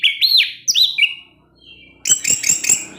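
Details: Orange-headed thrush singing 'teler' in the evening to provoke others of its kind: loud arched whistles and bent notes, a brief lull, then rapid harsh chattering bursts.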